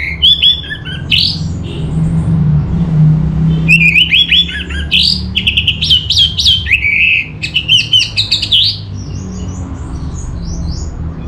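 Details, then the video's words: Orange-headed thrush singing in Bali, Indonesia: bursts of loud whistled and slurred notes mixed with harsh scratchy elements, a pause, then rapid repeated phrases and softer twittering at the end, with low background rumble. "Suara ANIS MERAH Cepat Gacor"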